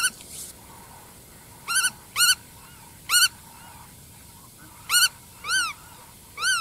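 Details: A black-tailed godwit calls in single and paired nasal notes, each a quick rise and fall, with pauses of one to two seconds between them.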